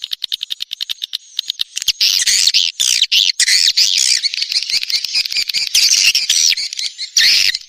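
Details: Swiftlet lure call, SP Neptunus style, played in the rainy season to draw swiftlets: a fast train of sharp clicks opens, then dense, harsh, high twittering chatter runs almost continuously, with a brief gap before a last loud burst.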